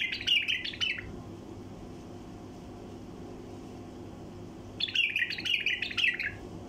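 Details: Wild bulbul singing a 'tayariyat' song used to stimulate caged bulbuls: two bursts of rapid, warbled, chattering notes, each about a second long, separated by a quiet four-second gap with low background hum.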